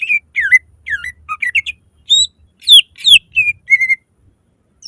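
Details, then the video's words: Greater green leafbird singing a loud lure song full of shot notes: twisting whistled phrases that loop up and down, high downslurred notes, then level whistled notes repeated in a quick run. "Pancingan suara lantang cucak ijo gacor full nembak langsung cepat buka paruh"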